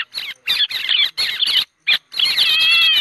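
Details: A white-headed héc xoan, a flocking bird trapped from early December, gives a flock-gathering call: harsh, high chattering bursts in quick succession, then a longer, drawn-out squeaky trill.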